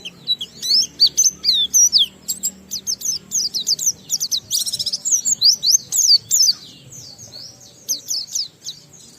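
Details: An Oriental white-eye pours out ngalas-style song with riwikan phrases to get other white-eyes singing: a long, dense rush of high, twittering, sharply slurred notes that thins out toward the end, with faint background hum.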